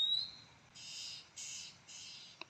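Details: Oriental magpie-robin, possibly a male parent near a nest or young by an oil palm tree close to a garden, gives three harsh, rasping alarm churrs about half a second apart after a brief thin whistle.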